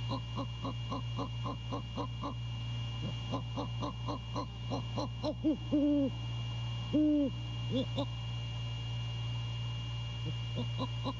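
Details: Late-night visit by a male great horned owl at a Savannah nest cam, January 2022. A fast series of short, low pulses leads into two deep, steady hoots roughly a second apart, then scattered pulses over constant hum.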